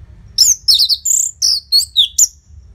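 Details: Close, loud orange-headed thrush song meant to stimulate caged birds: about seven high, sharply slurred whistled notes in quick succession, several sweeping downward.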